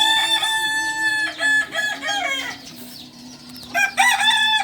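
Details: Kokok Balenggek rooster, native singing chicken of Solok, Indonesia, from a breeding farm: two bursts of rapid choppy crowing syllables, a two-second lull with a steady low hum, then the crow resumes loudly.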